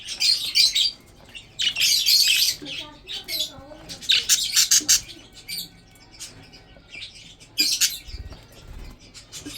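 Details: Breeding budgerigars chirping while eating food: bursts of harsh, buzzy chatter and squawks high in pitch, separated by short pauses, with softer warbled notes between.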